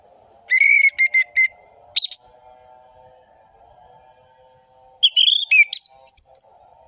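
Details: Lure song of an orange-headed thrush, meant to provoke silent birds into singing, with fast tempo and sharp trills: a run of clipped whistles, a pause, then a rapid warbled phrase, with a constant tonal hum beneath.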